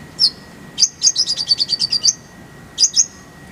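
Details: Kolibri ninja, used as a master recording for training songbirds, with a full isian and tembakan rolls: a high single chirp, a fast buzzy run of about ten descending chirps, then a paired chirp, over a steady faint hum.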